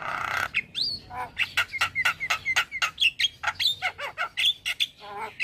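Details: Male Javan myna song meant to prompt other mynas into singing: a fast run of harsh clicks and short broadband bursts mixed with whistled notes sliding around high pitch, plus a rough opening squawk; no other sounds stand out.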